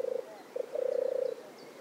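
European turtle dove purring its soft, low song: a short rolling purr, a brief pause, then a longer vibrating purr of rapid pulses.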